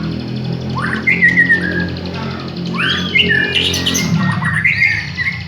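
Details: Village white-rumped shama song used as a lure: loud swooping whistles and upward slurs in separate phrases, set against a strong low droning background with a musical tone.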